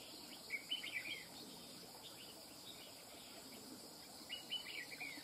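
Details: Wild-caught red-whiskered bulbul gives two clustered bursts of rapid, rolling whistled notes, one early and one late, with a persistent shrill insect background between.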